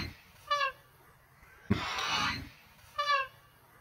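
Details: A male cockatoo, trying to say "I love you" in English, gives two short, nasal, voice-like phrases about two and a half seconds apart, with a harsh breathy rasp between them.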